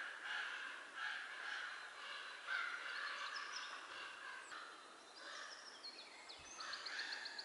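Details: Begging chorus from four three-week-old common raven chicks in a nest near Göttingen, late April: continuous rough, grating calls overlapping irregularly, with thin high squeaks toward the end.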